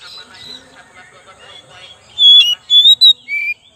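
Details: Soft mixed chatter, then an oriental magpie-robin (kacer) used as a lure gives four loud pure whistles, the last one lower.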